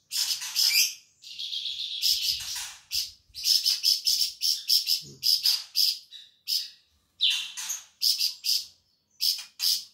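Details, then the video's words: Sumatran flamboyan bird, an insectivore favoured as a tutor for other songbirds, singing energetically: a drawn-out buzzy trill opens, followed by many sharp high chirps in clustered rapid series with brief gaps. "burung flamboyan gacor"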